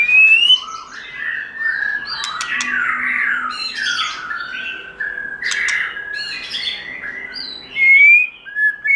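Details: White-rumped shama singing in its wild forest style, giọng rừng, a varied run of clear whistles, slurred rising notes and harsher raspy phrases with brief high ticks, loud near the start and again near the end.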